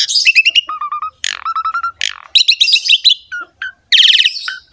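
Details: Energetic song of a Javan pied myna, played to encourage other mynas to sing: stuttering chips, level whistled notes in short series, buzzy rasps and a dense scratchy burst near the end.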